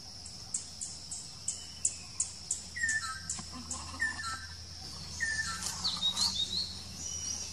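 A Black drongo gives rapid, high, sharp chips several times a second, with short falling notes and a few thin squeaky whistles, over a low steady hum.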